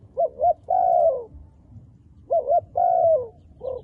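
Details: Two cooing phrases from a dark-feathered wild dove. Each opens with a pair of clipped notes and continues into a long, gently falling hoot, and a short extra note ends the passage.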